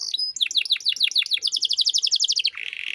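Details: Short burst of canary 'cengkok mewah' master song for untrained birds: a run of rapid downslurred notes speeding into a tight high trill, ending in a low buzzy roll.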